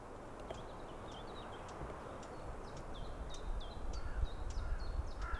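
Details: Eurasian blackcap giving alarm calls near a white-tailed eagle nest, picked up by a nest camera on 25 April 2016 around 14:16. Hard, dry ticking clicks come roughly twice a second over a steady low wind rumble, with thin whistles from other birds.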